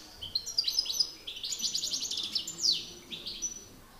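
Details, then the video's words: Male European goldfinches competing in song, a master against an excited challenger: quick twittering notes running into a buzzy trill and a sharp downward slur, then soft closing chirps. "Battle de chardonnerets"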